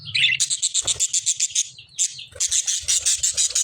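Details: Lovebird chirping: a rapid run of harsh, buzzy high pulses, about six per second, broken by a short pause, then resuming in an even faster burst.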